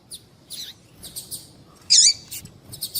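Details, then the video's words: High, thin chirps from a female double-collared seedeater, with one loud, downward-sweeping squeaky note in the middle; the call is meant to stir males to sing. "Piado de Fêmea de Papa capim é Seu Papa capim Vai Ficar Cantando RÁPIDO!!!"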